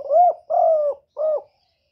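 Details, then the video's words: Spotted dove cooing: three clean, mellow coos, the middle one longest and slightly falling, in a quiet setting with no other sounds. "សំឡេងលលកូក2.ឮច្បាស់ល្អ.2023 , terkukur"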